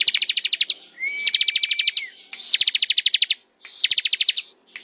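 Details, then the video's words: Bar-winged prinia (ciblek) singing in the ngebren style: four bursts of rapid, evenly spaced high chips, each under a second, with a steady thin whistle held between the first and second bursts. "Suara ciblek ngebren"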